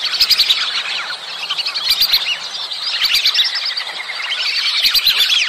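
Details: Whistling duck mating calls: a loud, crowded chorus of sharp, high whistled notes repeated about four times a second. Falling and rising slurs overlap without pause and swell stronger toward the end.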